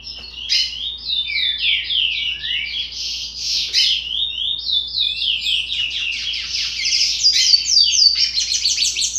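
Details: Developing song of a 60-day-old curió: continuous rapid high slurred notes tumbling up and down, with occasional harsher bursts, steady in loudness throughout.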